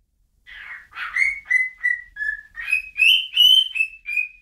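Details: After a short silence, a bird starts with a few rough notes, then whistles a steady series of clear, slightly rising tones, each under half a second.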